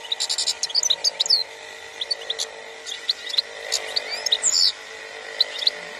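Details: European goldfinch singing in the khalwi style, 2021: bursts of rapid high twittering with buzzy trills and thin whistled slurs, broken by short pauses, over a steady mechanical hum.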